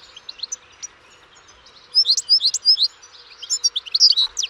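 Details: European goldfinch song: rapid, bright twittering of short high chirps and trills, quieter scattered notes first, then a dense liquid burst after two seconds and another lively twittering run near the end.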